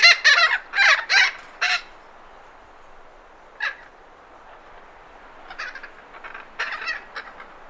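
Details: Thick-billed parrot in Arizona giving harsh, raspy squawks: four loud bursts in the first two seconds, then scattered quieter rasping calls after a pause, with light wind noise behind.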